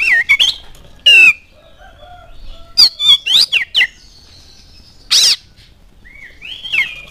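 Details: Oriental magpie-robin song used as a lure to get other birds singing, with scattered loud whistles, a harsh rasping burst and upward-sliding notes spaced by quiet stretches.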